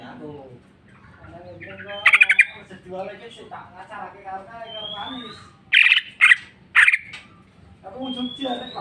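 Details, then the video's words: Greater green leafbird in full song, releasing its repertoire of imitations: rapid chattering and squeaky warbles, a thin rising whistle, and several explosive, shrill notes in clusters, over a low steady hum. "cucak ijo mewah ful jamtrok bongkar isian"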